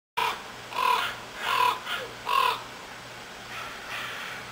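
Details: Black crows in pine trees outside a house on Afognak Island, Kodiak, Alaska: four loud, harsh caws about 0.8 seconds apart, then softer caws fading out, over a low steady hum.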